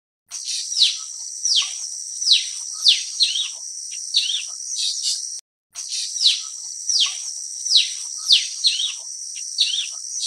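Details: Blue-winged leafbird giving a series of sharp, downslurred whistled notes, several per second in loose bursts, with a brief gap midway, over a steady high-pitched insect-like buzz throughout.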